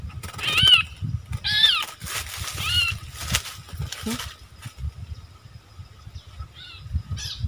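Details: Wild striated bulbuls quarrelling fiercely, recorded 8 February 2021. Three arched, ringing notes come about one second apart at the start, then softer scattered notes, all over a low background rumble.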